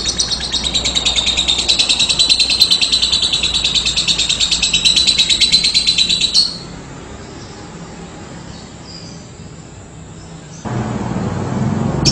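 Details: Lovebird performing its prized long ngekek, a continuous rapid trill of high, densely pulsed chattering notes held for about six seconds before stopping abruptly, followed by near silence and then a faint low background hum.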